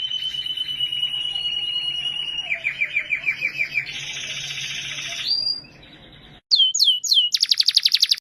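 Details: Singing canary in Norway delivers a long steady trill of quick repeated notes, then a louder buzzy roll and a rising whistle, followed after a pause by sharp high chirps and a rapid staccato rattle.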